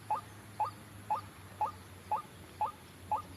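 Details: Trapping lure of white-breasted waterhen: a monotonous series of brief rising notes, about two per second, evenly spaced, with a low background hum.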